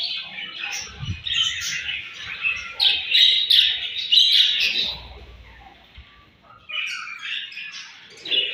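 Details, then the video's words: Morning feeding time among budgerigars: busy warbled chirping and fine tweets run for five seconds, fade to a lull, then resume more softly. "𝘽𝙪𝙙𝙜𝙞𝙚𝙨 𝙈𝙤𝙧𝙣𝙞𝙣𝙜 𝙁𝙤𝙤𝙙 𝙒𝙞𝙩𝙝 𝙈𝙤𝙧𝙣𝙞𝙣𝙜 𝘾𝙝𝙞𝙧𝙥𝙞𝙣𝙜 𝙎𝙤𝙪𝙣𝙙𝙨"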